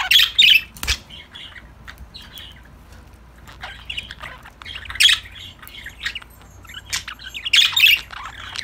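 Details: Pet budgerigars chirping and chattering together while playing, unfiltered: harsh squawky bursts at the start, middle and end, with quieter scattered chirps between them.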